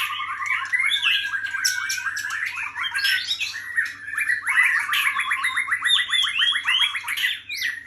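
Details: White-rumped shama singing a rich, continuous run of varied whistled and chattering phrases, fast rising and falling notes with some harsher squawky elements, and a faint steady low hum underneath.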